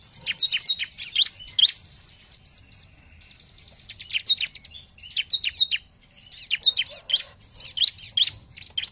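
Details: Bar-winged prinia gacor song meant to draw rivals into singing: quick trills of shrill high notes, a short softer stretch near the middle, then renewed rapid bursts of sharp chips over a low hum.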